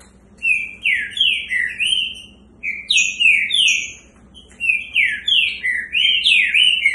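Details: Green-winged saltator (trinca-ferro), a caged bird being prepared for the coming season, singing three loud phrases of rich, slurred whistles, each about two seconds long with short pauses between, over a faint low hum.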